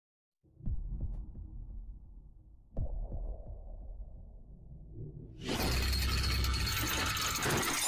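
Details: Low thuds and humming open the recording, then loud music bursts in after about five seconds, with no animal calls heard.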